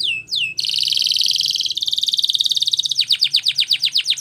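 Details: Spanish Timbrado canary training song: two falling whistles, then a loud dense rolling trill and a rapid pulsed rattle, closing with a row of steep downslurred notes.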